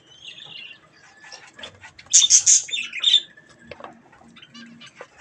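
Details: Budgerigars eating strawberries; after soft murmuring, a loud cluster of bright, shrill high chirps arrives, then quieter scattered twitters.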